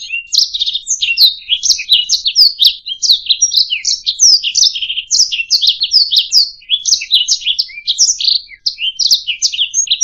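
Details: Master canary song for bird training, a lively run of sharp high trills and rasping chirps in quick succession, varied phrases overlapping closely, with occasional level whistled notes and nothing else audible.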